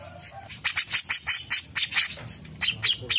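Grey-cheeked Bulbul giving a rapid run of harsh, scratchy chattering notes, about four per second, with a short pause before a final burst.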